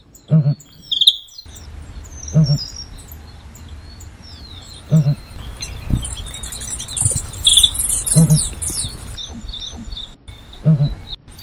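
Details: Southern ground hornbill giving deep, low booming grunts, each a short doubled pulse, repeated about every two to three seconds, five in all; thin chirps and whistles of other birds fill the background.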